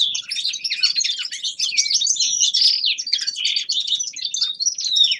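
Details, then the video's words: Common linnet, a young male in winter, in practice song: an unbroken rush of high twittering notes, buzzy trills and quick slurred chirps packed tightly together. "Распевка Реполовов песня Carduelis cannabina birdsong"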